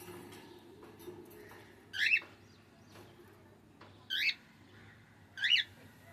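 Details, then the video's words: Cockatiel giving three short harmonic chirps about two seconds apart, each rising then falling and bending sharply, over a quiet indoor background with a faint low hum. "Cockatiel Singing"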